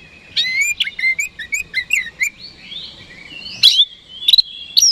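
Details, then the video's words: Oriental magpie-robin singing to provoke rival birds: a quick chain of chirpy, looping whistles about every third of a second, a long drawn note, then loud buzzy bursts and rising whistles. "PANCINGAN KACER HARIAN 🔥 Super GACOR Ampuh Bikin Lawan Cepat Respon"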